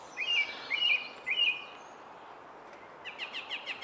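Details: Song thrush singing at the Henry Moore sculpture: a bright, fluty phrase three times in quick succession, then a run of short, rapid high notes, over quiet outdoor background.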